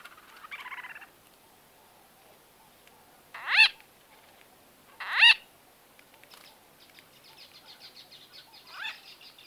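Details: White-fronted bee-eaters conversing up close: a brief buzzy note, then two loud, harsh, rising-falling calls about one and a half seconds apart, followed by soft scratchy twitters.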